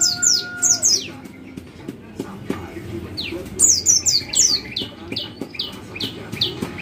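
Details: White-eye call used to stimulate other white-eyes to sing: short high descending chirps, single and in quick bursts of three or four, with low background rumble and clicks.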